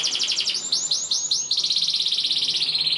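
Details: Canary tutor song for young canaries: a rapid trill, then four swooping notes each falling in pitch, followed by a long fast high trill repeated many times per second.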